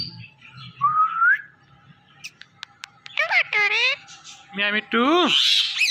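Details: Indian ringneck parakeets, a pet male and female pair, mimicking speech indoors: a rising whistle, a few clicks, then wavering talking-like squawks and a closing harsh screech.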